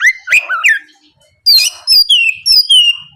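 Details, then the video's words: Morning song of an Oriental magpie-robin, played as a lure so rival birds reply: rising and falling whistled notes, a short pause, then a run of clear descending whistles repeated about four times. "PANCINGAN SUARA BURUNG KACER GACOR NGEPLONG PAGI DIJAMIN BIKIN LAWAN LANGSUNG IKUT NYAUT BUNYI GACOR"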